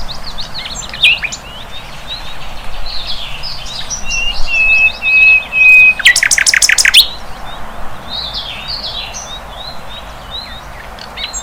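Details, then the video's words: Wild flycatcher singing: varied high chirps and short twittering notes, a sustained level whistle, then a loud, rapid, rattling trill lasting about a second before the chirping resumes. "Sikatan LONDO"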